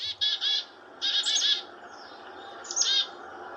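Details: A black-capped chickadee, back in its bush just after a shrike attack, gives harsh, buzzy chickadee-dee alarm calls in three bursts of rapid raspy dee notes, with more dee notes signalling threat. Fainter chickadees about 30 and 60 feet away answer.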